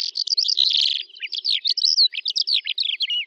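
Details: Calandra lark singing in the Astrakhan Trans-Volga steppe, Russia, in May 2017: a dense, unbroken, high chattering stream of rapid trills, buzzy notes and short whistled slurs, with no pauses and no other clear sounds.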